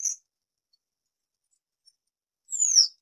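A Citrine wagtail gives two high, harsh calls: a clipped note, then, after a pause of over two seconds, a buzzy, downslurred tsreep. No other sounds are heard.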